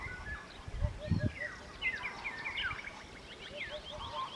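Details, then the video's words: A Eurasian hoopoe at a homestead in Albania gives soft, low hollow 'oop-oop-oop' triplets twice, under brighter twittering of other birds, with low wind or handling rumble. "Majestically Who but Hoo aka the Eurasian Hoopoe"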